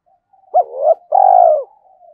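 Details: Lure spotted dove cooing in the 'giọng thổ' style to excite wild doves. A single phrase: a sharp upturned note rising into a wavering coo, a short pause, then a long even coo that dips at the close.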